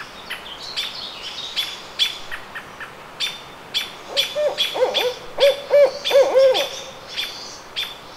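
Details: Barred owl at the Squamish River Estuary on May 17, 2014, giving a quick run of deep, throaty hoots with wavering inflection midway through, while another bird repeats sharp, high chirps throughout.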